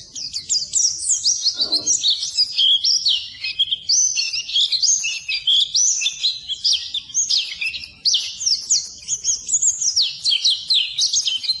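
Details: Pleci (white-eye) training song for birds that refuse to sing, a continuous high, bright chattering warble of fast slurred and stepped notes, with one short dip near the eighth second.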